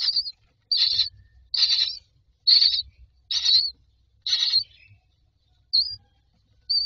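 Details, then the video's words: Young mynas asking to be fed in a nest box: separate rasping, buzzy bursts spaced roughly a second apart, getting fainter and shorter near the end, over a low rumble. "Babies bird asking for food"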